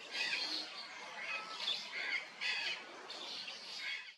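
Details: Sulphur-crested cockatoo screeching: harsh, grating squawks roughly every half second to second, each a broad raspy burst, in a clean recording with little background sound.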